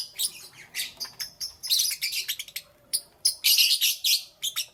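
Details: Lovebirds chirping in the morning: dense bursts of harsh, high chirps and squeaky notes in quick irregular runs, with short pauses between clusters.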